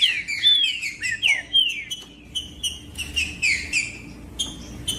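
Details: Wild-setting Green-winged saltator song used to warm up a cold bird for breeders' tournaments: rapid run of sharp, downward-slurred whistles, a brief pause midway, then another burst of ringing, slurred notes.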